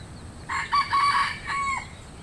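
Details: Loud crow from a rooster: a jerky, multi-syllable opening, then a sustained, strained note that falls away at the close, with little else audible.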